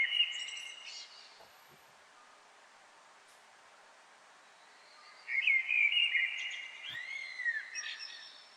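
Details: European blackbird singing from the edge of a chimney in a courtyard behind a Paris apartment, song echoing with reverberation; a brief whistled phrase, about four seconds of quiet, then a longer warbling, twittering phrase fading out.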